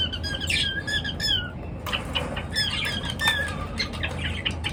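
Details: Morning bird chirping: high twittering notes and short downslurred chirps, then a scuffle of wing flaps and more scattered squeaks over a low hum.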